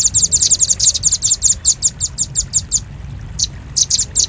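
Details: Bird lure of a velvet-fronted nuthatch: a fast, crowded run of high chips spreads out into slower single notes, falls quiet briefly, then resumes with a few loud chips.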